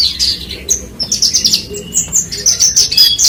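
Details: Short burst from a branjangan, Horsfield's bush lark: quick high whistled notes and chirps strung closely together.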